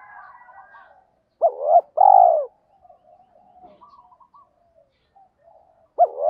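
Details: Spotted dove in kích bổi song: a rising clipped note, a quavering hoot and a long steady coo. Several seconds of faint chirping follow, and the next phrase starts as the recording ends.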